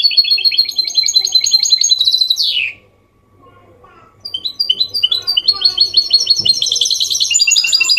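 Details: Goldfinch mule in Málaga-style song, played to encourage males and teach chicks: high, rapid twittering ending in a falling sweep, a near-silent gap, then a loud, dense stream of bright chattering trills.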